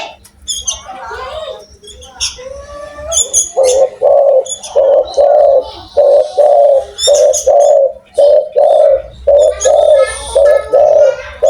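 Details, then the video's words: Spotted dove in strong, loud voice: a long run of rhythmic, low throaty coos, about ten notes delivered at a steady beat, after opening chirps from other small birds that continue faintly throughout. "tekukur gacor suara besar"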